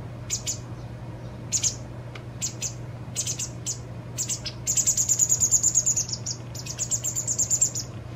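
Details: A fledgling White wagtail begs while its parent feeds it, two days before it becomes independent. Scattered high chirps build into long, rapid, buzzy trills in the second half, with a steady low hum underneath.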